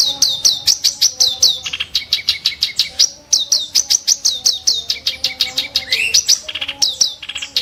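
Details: Ashy tailorbird song made of sharp, harsh shots: fast series of downslurred high chirps repeated in bursts, with rising whistles mixed in; faint steady tones in the background.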